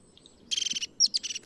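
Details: European crested tit, grey-headed with a crest it raises especially when alarmed, giving high, fast, purring trilled calls in two rapid bursts with a thin sharp whistled note between them.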